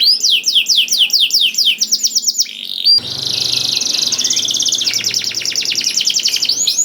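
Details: Singing canary, played to make other canaries start singing: quick series of falling whistled notes, then a long dense buzzy trill and a rapid rattling tour of repeated notes.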